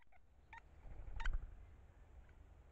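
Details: Great spotted woodpecker by the nest hole where both parents feed their chicks, calling to each other: a few abrupt, sharp 'kik' notes in quick succession, one louder than the rest, over a low rumble.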